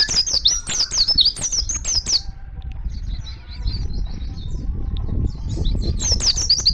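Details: Oriental white-eye in the wild calling other white-eyes, giving a two-second run of high, slurred chirps, then faint distant twitters over a low rumbling background before the chirping resumes.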